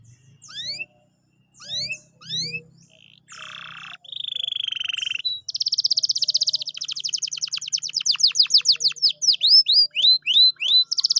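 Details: Canary song played to stimulate a quiet canary to sing again: rising whistled sweeps, then buzzy rattling trills and fast repeated sweeping notes.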